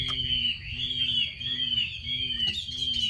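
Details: Chinese hwamei hen calling to stimulate males to sing: a continuous wavering whistled tone that rises and falls in slow waves, with a low hum and a brief click.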